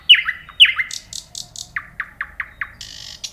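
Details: Loud downslurred nightingale notes come first, followed by a string of buzzy notes and then a descending sequence of five or six short notes. A rasping buzz finishes the phrase.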